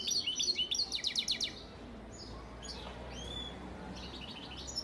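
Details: European goldfinch, a breeding father bird from Antalya, recorded in 2018, singing a quick burst of bright, high twittering notes in a tight run, then thinner scattered chirps and a brief rising whistle over a low background hum.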